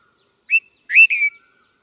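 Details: Red-vented bulbul giving a short clear chirp followed by a louder two-part whistled phrase that bends upward then slides down, crisp and cheerful, with silence around it.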